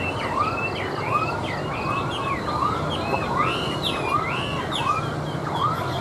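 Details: Chinese hwamei, a tame cage bird placed on a table, sings looping whistled phrases that swoop up and down, over a regular arched note repeating about every 0.7 seconds and a rumbling background.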